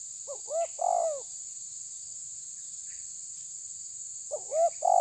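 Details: Spotted dove, the tabir type, calling to press a rival: two hoarse, mellow cooing phrases, one at the start and another after a pause of about three seconds, over a constant high-pitched whine.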